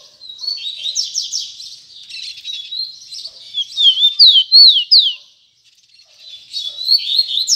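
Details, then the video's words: Double-collared seedeater in tui tui zel zel style: high trilled phrases, then loud downslurred whistles repeated in quick succession, a short pause, and a resumed buzzy warble. "Coleiro Tui Tui Zel Zel"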